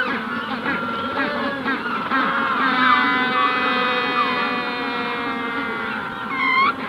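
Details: Magellanic penguin adults at hatching stage in a colony at Punta Tombo, calling close by: overlapping harmonic brays with sliding pitch, a dense chorus of neighbours behind, and a sharp upward-swooping note near the end.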